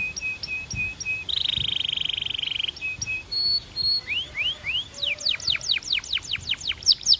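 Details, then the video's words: A Belgian canary sings a varied phrase: evenly spaced short flat piping notes, a buzzy rolled tour lasting over a second, more piping, three rising slurs, then a string of loud falling whistled sweeps. "Impossible If Your Canary Does Not Immediately Sing‼️ Belgian Canary"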